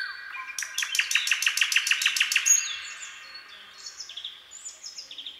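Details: Common nightingale in the night forest: a rapid burst of about twelve hard, identical repeated notes, followed by quieter, varied high whistles.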